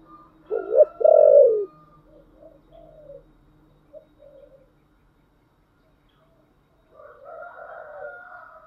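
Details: Spotted dove singing thổ style: a loud double coo, the second note long and full, then soft scattered murmurs and a pause before faint, blurred cooing resumes.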